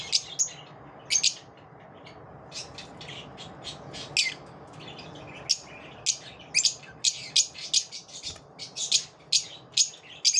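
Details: After dawn, lovebirds utter shrill squeaky chirps, scattered at first and then quickening into a dense run of bright notes near the end.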